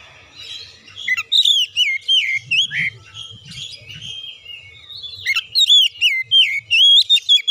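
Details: Oriental magpie-robin song played as a lure to make birds sing, with an open-beaked, continuous delivery: varied whistled notes, rising and falling slurs and sharp chirps, with a dense burst of rapid phrases in the final seconds.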